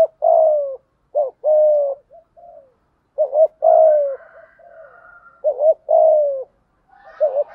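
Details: Spotted dove lure bird in full thúc gù cooing, giọng thổ voice: repeated phrases of a double-tipped short note followed by a long mellow falling coo, roughly every two to three seconds.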